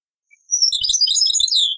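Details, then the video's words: An old cassette recording of European goldfinch taqsrain song: a faint lead-in note, then a bright, fast tumble of high twittering and tinkling notes ending on a falling slur, with faint clicks underneath. "تغريد تقصراين"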